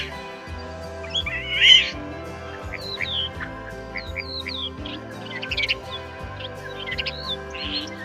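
A common starling gives a busy jumble of short whistles, chirps and clicks, some sliding up or down, over a steady low musical backing.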